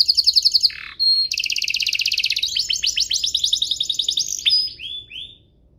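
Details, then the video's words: Singing canary used to tutor young birds: quick pulsed trills, a dropping buzz, then a long dense rolling trill shifting into rapid chips and two short rising whistles fading out. "Suaranya MUDAH DITIRU, Efektif untuk Masteran Kenari Paud dan Pancingan kenari biar gacor"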